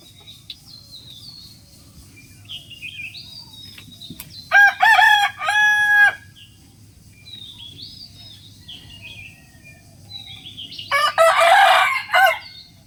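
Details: Rooster crowing, two loud harmonic crows about six seconds apart, each near a second and a half long, with high bird chirps and twittering in the quiet gaps.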